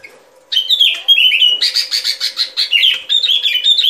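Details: Lure song of a sooty-headed bulbul used when trapping. A loud, continuous, chattering run of rapid whistled notes, many slurring down, with a faint steady low hum underneath.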